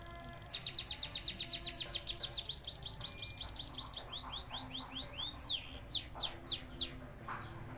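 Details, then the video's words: A white-headed munia, trained with canary song, gives a canary-like song: a fast, high, bright trill of about thirty notes, then slower slurred descending whistles and a few sharp rising notes. "Emprit Kaji Rasa KENARI GACOR"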